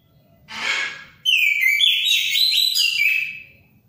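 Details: Orange-headed thrush, preceded by a short broad rushing noise, breaks into a sustained, varied song of bright whistles, quick trills and slurred notes lasting over two seconds.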